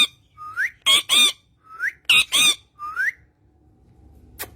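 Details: Green parrot with its owner, alternating short rising whistles with paired harsh squawks, repeated three times before fading to quiet.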